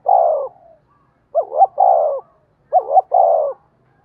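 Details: Spotted dove with a 'giọng đồng' (bronze-voice) style, used as a lure to provoke wild doves of the 'giọng thổ' style. It gives low, mellow coo phrases: a quick double rising note, then a long drawn-out falling coo, repeated about every 1.4 seconds.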